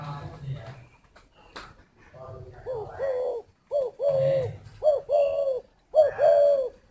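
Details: Spotted dove at a dove garden in Ba Vì, Hanoi, Vietnam, giving soft low coos in pairs, a short note then a longer one, about once a second after a quiet start with a low humming voice.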